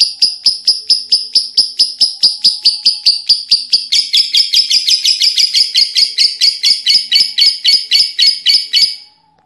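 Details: Caged pet lovebird chattering endlessly into the morning, a long train of strident repeated chirps that speeds up midway into a denser rattling series before stopping abruptly.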